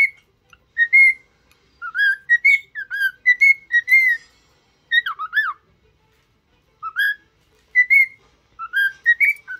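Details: Cockatiel learning to sing and talk gives clustered phrases of bright, slurred whistles with quick up-and-down inflections, separated by short silences, repeated several times across the passage.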